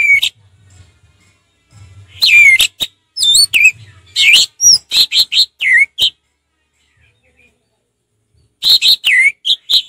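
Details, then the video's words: An orange-headed thrush in laid-back 'ngeplong' song delivers bursts of loud whistled and slurred notes, some sharply rising or falling, in quick clusters separated by a long quiet gap near the end. "Terapi ampuh Anis merah ngeplong santai"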